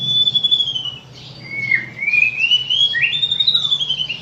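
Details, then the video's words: White-rumped shama lure song for morning and evening, a continuous run of rapid high trills gliding downward, then up and level, over a low steady hum. "Pancingan murai batu untuk pagi dan sore hari"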